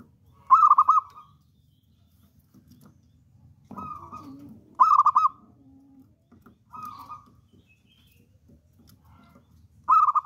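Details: Local wild-type zebra dove kept as a bold lure bird, giving loud rapid pulsed coo phrases every few seconds, with quieter lower answering coos from another dove in between.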